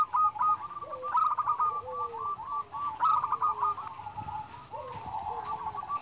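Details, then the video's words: Local zebra dove (perkutut lokal): continuous rippling trills with repeated accented bursts, fairly soft. Lower sliding whistles and background noise are heard around them. "perkutut lokal gacor SUARA BESAR"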